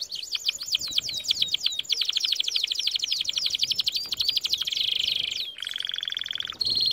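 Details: Canary singing as a training song for canaries: fast series of downward-sweeping chirps running together in a rolling trill, ending with sustained buzzy flat tones and a brief break.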